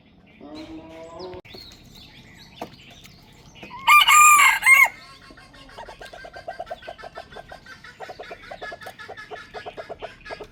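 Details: Morning rooster crow, one loud strained call near the middle lasting under a second, surrounded by softer rapid clucking and scattered chatter from other chickens before and after.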